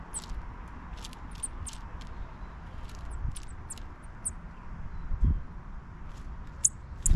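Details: Chipping sparrows (Spizella passerina) at a bird feeder give thin, very high chip notes at an irregular pace, over a low rumble with a couple of soft thumps.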